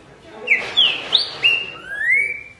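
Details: Song of a Green-winged saltator, a series of loud, clear whistled phrases with sharp accented notes, then a long smooth rising whistle held at the end over faint background hiss.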